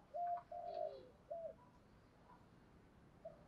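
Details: Morning calling of a female spotted dove urging males on: three quiet throaty coos in quick succession, then a pause and one faint last note, heard over a steady hiss of background noise.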